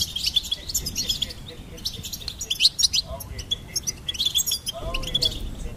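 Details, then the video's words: Goldfinch singing: rapid, tinkling twitters and chirps, with a steady high trill line running through, in quick bursts with brief pauses and faint low background rumble. "Goldfinch Singing and Song Compilation"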